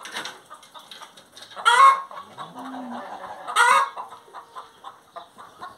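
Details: Hen singing: two loud, harsh, harmonic squawks about two seconds apart stand out over a steady background of soft, rapid clucking and murmuring, with one low hum-like note between them.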